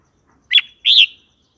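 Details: Red-whiskered bulbul song played to teach young birds and provoke other birds: two short, rich whistled phrases, the first quick and dipping, the second a fuller warbled note, then silence.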